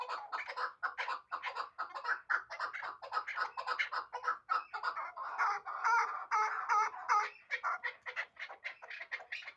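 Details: A last-year hybrid chukar partridge keeps up a long, rhythmic series of raspy chuk-chuk calls, about two per second. Midway a few louder, ringing notes stand out.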